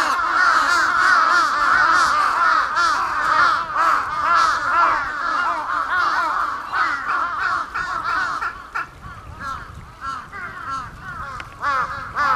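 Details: Large-billed crows fighting: harsh, hoarse caws come in quick bursts, about two a second, loud at first and then more broken and uneven, with short gaps and scuffling noises later on.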